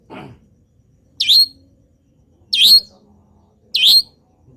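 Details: Long-tailed shrike, a local bird singing constantly, its song said to be filled with imitations of wild birds. A low rough note, then three sharp, high, bright chirps spaced about a second apart, with faint low hum between.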